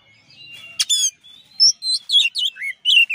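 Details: Champion Oriental magpie-robin (kacer) tutor song: a sharp rasping burst, then a rich, rapid run of varied whistled, warbled and slurred notes, loud and high, rising and falling in quick succession.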